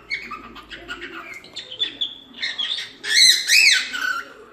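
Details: Cockatiel singing: soft scattered chirps and faint chatter at first, then two loud, arched, whistled notes with bright harmonics near the end, each rising and falling quickly.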